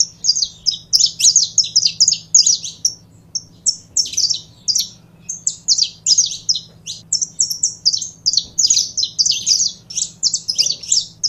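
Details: Saffron finch singing continuously: long rapid series of high sharp chirps, whistled slurs and clipped notes, with a faint low hum throughout.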